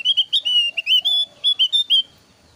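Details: A thin-browed Javan grey-throated white-eye lure song: a fast, uneven series of about fourteen bright whistled notes, mixing short upslurs and longer level whistles, with a faint lower warble underneath, then fading to quiet.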